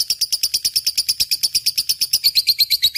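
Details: Lovebird singing actively, offered as a lure recording: a fast, even train of sharp high chirps, about three per second, with the last notes dipping slightly lower.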